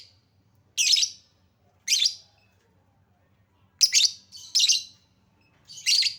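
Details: Lovebird lure calls meant to spur a hesitant bird to sing: six sharp, high, scratchy screeches at uneven intervals, a couple in quick pairs, with silence between.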